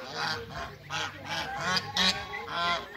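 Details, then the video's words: A pair of Mallard ducks meeting at a waterbird farm, giving a run of loud, harsh, nasal quacks and honking calls, about one every half second, rising and falling in loudness with a brief louder burst near the end. "MEETING COUPLE MALLARD DUCKS"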